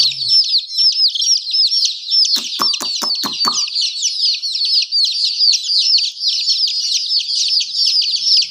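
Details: A group of chicks chirping nonstop, with bright, descending peeps overlapping densely and a short burst of sharp clicks early on.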